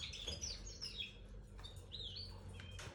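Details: A red factor canary gives short, high chirps and thin, slurred whistles, some falling, in quick irregular bursts over a low background rumble; finding: Belgian canary.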